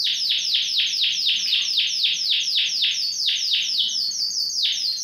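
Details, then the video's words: Caged Yorkshire canary of Romeo colouring delivers a steady rolling trill, about four notes a second, each a quick downward sweep, ending in a brief level whistle; one of four birds said to be in full song. "4 Ekor KENARI YORKSHIRE warna ROMEO FOI GACOR"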